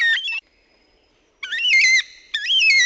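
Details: Baudin's Black-Cockatoo, one of the Southwest Black-Cockatoos, gives three harsh, slurred wailing calls, each falling then rising in a strong nasal two-part sweep, with short pauses; similar to Carnaby's but slightly shorter and more slurred.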